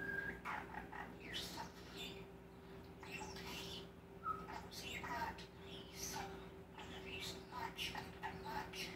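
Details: Male common starling with a large mimicked repertoire of human phrases, kisses, laughter and clicks, producing gravelly speech-like babble broken by brief squeaks and clicks, with a constant low electrical hum.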